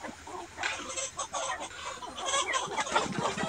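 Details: Gà Nòi, bantam (Gà Tre) and crossbred chickens kept free-range in a spacious yard in daytime, pecking at greens and insects; overlapping short, rough clucks from several birds, growing busier toward the end.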